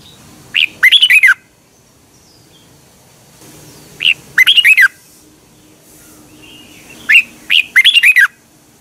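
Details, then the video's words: Red-whiskered bulbul from Thailand, a song played each morning to train caged birds to sing fast and strong: three short bubbly warbled phrases of quick chirpy notes, each under a second, spaced about three seconds apart. "นกกรงหัวจุก, 30 นาทีทุกเช้า เพื่อให้นกเรียนรู้ที่จะพูดได้อย่างรวดเร็วและหนักแน่น"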